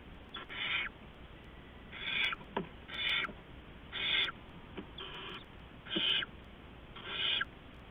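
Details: Owlets being fed rats by an adult owl in the early morning dark, 15 November 2015; seven rough screechy hisses repeat roughly once a second, each about a third of a second long, with scattered soft clicks under a steady hiss.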